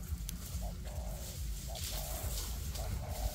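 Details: Spotted dove used as a decoy bird for trapping, one of two decoys working together in forest to lure wild doves; mid-pitched cooing phrases, a short note then a longer drawn-out coo, repeated, over low rumbling background noise.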